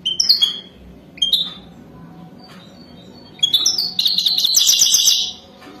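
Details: Wild European goldfinch singing for mating: a few crisp high notes and slurred whistles, then a fast, buzzy, liquid twittering trill lasting about two seconds.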